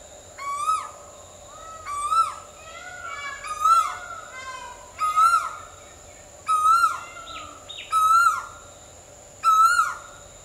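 An Asian koel repeats a loud, rising, slurred 'ko-el' note about every second and a half, over a steady high insect hum and faint other birds.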